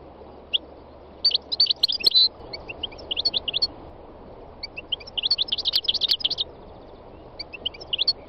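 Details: Wild European goldfinch singing: bursts of rapid, high, tinkling twitters and chirps that come in dense clusters, with short pauses between phrases, over a steady low rumbling background noise.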